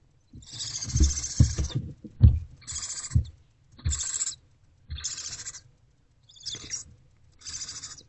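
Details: Barn owlet inside a nest box on a February 2024 afternoon, hungry and eating a rodent: a run of six rough, breathy hisses, each under a second long, mixed with low thumps and rustling from movement.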